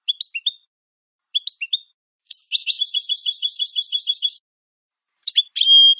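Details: European goldfinch giving a clean song meant for training captive birds: quick tinkling note groups, then a long fast rattling trill, ending in a pure whistled note.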